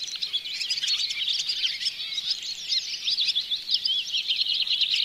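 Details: Barn swallows at Oostvaardersplassen bird hide in September 2016, captured on a Panasonic Lumix GH4; nonstop squeaky, warbling twitter of high chirps, thick and overlapping, with a steady hiss underneath.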